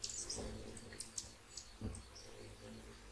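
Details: High, sharp chirps and squeaks from hummingbirds feeding at sunrise. The chirps come close together, mixed with low thumps and the trickle of a small fountain and birdbath.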